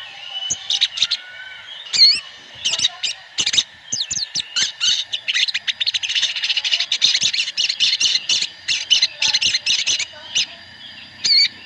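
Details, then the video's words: Sooty-headed bulbuls calling together in a flock lure meant to stimulate singing. Nearly continuous chattering of sharp, bright chirps and twittering notes, crowded and fast, with brief gaps. "pancingan sogon ontong (sogon) ombyokan agar cepat bunyi"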